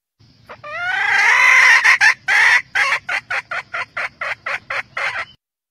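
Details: Red junglefowl hen calling the rooster: a long, harsh, rising squawk of about a second and a half, then a quick run of about a dozen short, loud clucks.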